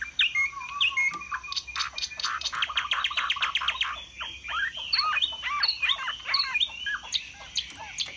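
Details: Caged Chinese hwamei displaying with spread plumage while singing in the high 'cao cầu' style: slurred whistles open, then a dense run of rapid buzzy repeated notes, followed by bouncing rising-and-falling whistled phrases.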